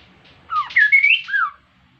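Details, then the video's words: An insect-eating Kaso-kaso bird singing as a lure to make other birds sing. One loud phrase of rapid, looping whistles sweeps up and down over about a second. "KASO KASO GACOR COCOK UNTUK PANCINGAN BIAR IKUTAN GACOR JUGA"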